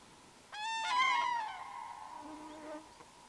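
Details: Wild common cranes in a forest river valley, two pairs calling to each other before meeting to trumpet together. A loud, rolling, bugling honk rises and then fades into a lingering lower tone.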